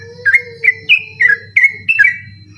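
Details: {'caption': 'Sooty-headed bulbul singing a persistent night-time ropel song, used as a training recording for contest birds: short, bright, slurred whistles repeated about every third of a second over a steady low hum.'}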